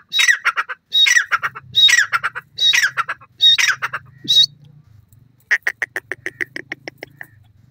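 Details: Wild francolin (jungli teetar) giving five harsh squawking phrases in quick succession, followed after a pause by a rapid string of short, evenly spaced clucking notes, with a faint low hum underneath.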